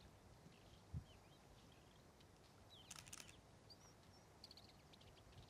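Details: Young male Desert Wheatear in first-winter plumage sub-singing among boulders and beach at Little Porth Askin, St Agnes, Scilly, 22 March 2015: soft, thin whistled notes and brief scratchy bursts, quiet against a constant rushing background noise.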